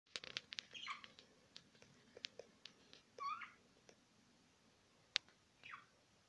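Budgerigar chatter: quick dry clicks and ticks mixed with short bright chirps and a few falling, scratchy warbles, in an uneven run over a quiet room.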